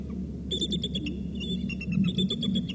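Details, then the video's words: Rapid, high-pitched chittering from three eagles, with closely packed piping notes in quick runs and a brief level whistle in the middle, heard against a constant low hum. "calls 3 eagles"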